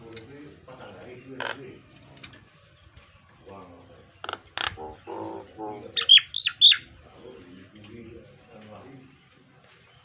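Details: Model song of the Nias hill myna for tutoring pet birds: soft scattered notes at first, then louder raspy bursts and a pair of piercing high whistles midway before it fades back to quiet chatter.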